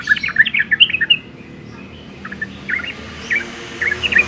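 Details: Yellow-vented bulbul (Pycnonotus goiavier) song: a quick run of bubbly, chortling notes, then short liquid phrases every half second or so, over a faint low hum.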